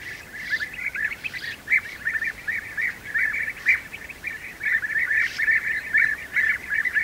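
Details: Nest of European bee-eaters during feeding of the young; continuous chorus of short burry, rolling notes at a steady mid pitch, crowded together in irregular bursts.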